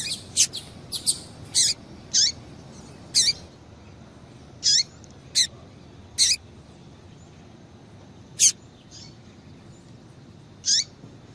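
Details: Female double-collared seedeater call for exciting males: a quick run of sharp high chirps, then single short chirps spaced one to two seconds apart with longer pauses later.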